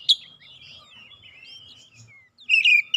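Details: Oriental magpie-robin singing, recorded to encourage a silent bird to sing: a sharp chip, then a thin, wavering, descending whistle, ending in a loud burst of rich, rapid warbled notes.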